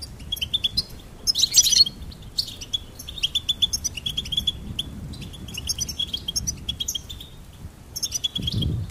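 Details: Phrases of high goldfinch twitter separated by short pauses, with one harsh buzzy burst early on and a low rumble at the end.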